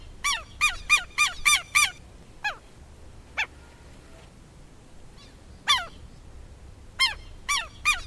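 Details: Southern lapwing heard somewhat farther off, with a fast burst of strident repeated notes, then scattered single harsh notes, and a closing run of the same calls over a light background hiss.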